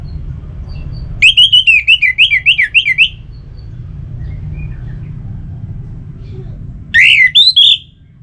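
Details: Orange-headed thrush song used to encourage kept songbirds: a long run of about ten rapid zigzag whistles, then a pause, then a shorter burst of four rising whistled notes, with faint rumble throughout.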